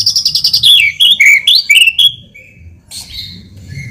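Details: Lure song of a white-rumped shama to trigger an answer: quick high ticks open into loud, rich whistled slurs that rise and fall, then fade into softer thin whistles.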